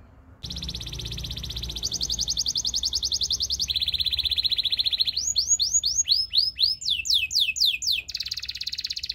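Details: Song of a Belgian singing canary used to train other canaries: long fast buzzy rolls at two pitch levels, then loud sweeping whistled slurs repeated quickly, ending in another rapid rolling trill; faint low hum.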